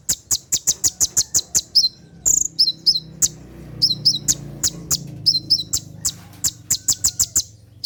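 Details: Rapid 'tembakan' song of a brown-throated sunbird at night, for training caged birds. Long volleys of about ten piercing ticks are broken by quick down-slurred whistles.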